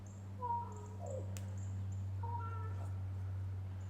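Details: Common Raven being mobbed and chased by two Cooper's hawks near a small woodlot, 11 March 2023. It gives two short, hollow, slightly nasal "croak" calls about two seconds apart, over a low mechanical hum.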